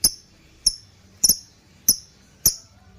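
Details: Shrill lovebird chirps recorded to train and trigger other birds, the ngekekekeke lure sound: five piercing, very high clipped notes at roughly half-second to second intervals, one a quick double, with soft background hum.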